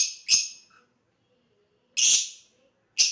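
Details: Pet lovebird in a playful mood calling with loud, harsh, buzzy chirps, two in quick succession, then single notes after pauses of about a second and a half.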